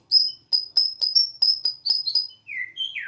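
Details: Bornean white-rumped shama, a household bird on a terrace, singing with energy like a siren: quick series of bright high whistles, then three descending slurred whistles lower in pitch.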